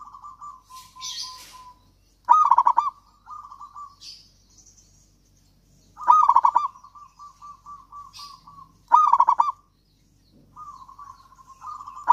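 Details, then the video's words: Local Javan zebra dove singing tirelessly, meant to stir lazy doves to sing: four loud bursts of rapid, bubbly coos roughly every three seconds, each followed by softer even trills, with occasional light rustling. "perkutut lokal gacor kutut lokal gacor ampuh untuk pancingan kutut malas bunyi dan macet"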